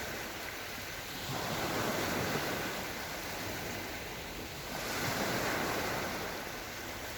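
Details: Waves surge and break on a seafront embankment in Yalta in October 2020, with steady wind noise and a slow rise and fall of washing water.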